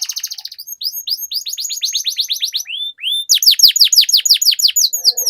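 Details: Canary song with long rolls, used to stimulate other canaries: a rapid trill, then a series of rising slurred notes, followed by loud, deep descending sweeps repeated several times a second.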